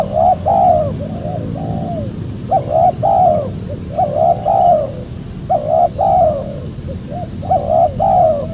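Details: Cooing of a spotted dove, meant to attract wild spotted doves for trappers. Doubled mellow coos ending in a slurred note repeat in regular phrases about every one and a half seconds over low steady noise.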